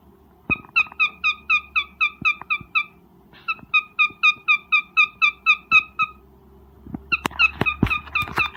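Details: Breeding cockatiel giving its mating call: long runs of quick, repeated bright chirps at about four per second, two steady series followed by a shorter, rougher burst mixed with loud clicks and tapping.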